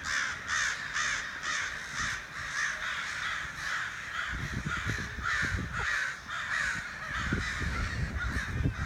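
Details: Several crows outside a back door giving rough, grating caws in a steady run of roughly two per second, joined midway by low rumbling and knocking sounds.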